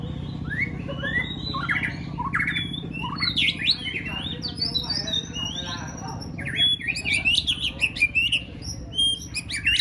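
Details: White-rumped shama (chòe lửa) being trained for a singing contest and practising competitive solo singing: a rapid run of varied whistled, sweeping and chattering phrases that rise and fall, louder toward the end, over a steady low hum.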